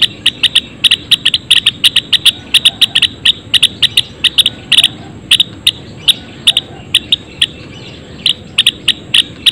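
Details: Java sparrows in a colony cage uttering a long, busy stream of dry, bright chip notes, densely packed at first, then looser with small gaps.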